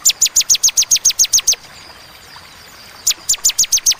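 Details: Clear, paced "tembakan" song of a bar-winged prinia, one string of about ten high falling notes, a pause of one and a half seconds, then a second similar string.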